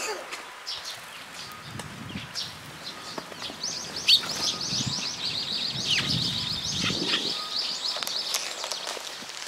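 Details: Sparrows gathered at a post at a Tenmangu shrine in June, waiting to be fed; a dense run of high, quick chirps builds through the second half over low outdoor rumble and soft footstep-like sounds.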